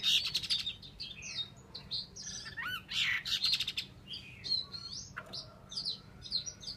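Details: Chinese hwamei kept as a cage bird in Vietnam sings quieter varied whistles and slurred notes over steady background hiss, with several short buzzy bursts.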